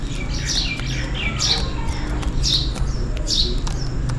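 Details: In rainy weather, sparrows call for food with a busy mix of high chirps and softer lower twitters, several birds overlapping, above a low rumbling backdrop.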